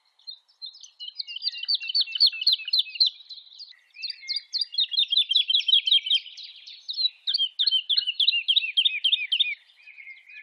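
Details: Woodlark (Lullula arborea), song.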